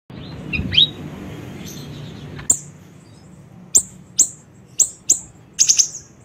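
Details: Siri-siri bird recorded as a lure and training sound: a faint descending slur early on, then sharp, very high chirps spaced irregularly, some in quick pairs and triplets, over low background hum.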